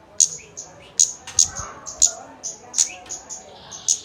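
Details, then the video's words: Kemade lure recording used to prompt a bird to sing quickly: sharp, very high ticks repeated irregularly about twice a second, with short thin whistles and a few lower sliding notes between them. "Pancingan kemade bahan agar cepat bunyi"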